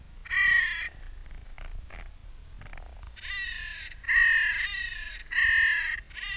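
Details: Crows in Clara Park in spring, heard in mild slow motion: a harsh, hoarse caw, then softer scattered notes, then a run of three loud grating caws about a second apart, with low background rumble.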